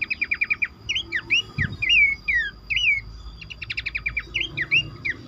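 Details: Horsfield's babbler calls used as a lure recording in a busy multi-bird mix: rapid runs of short high chirps alternate with clear whistled, down-slurred and looping notes, densely repeated with scarcely a pause, over faint low hum.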